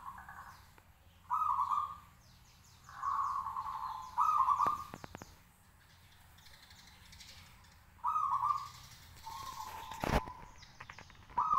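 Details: Caged local zebra dove, hung up high and singing eagerly to provoke replies from other doves. Fluttering, purring coo phrases repeat every one to three seconds, with one long gap, brief clicks and a sharp knock near the end.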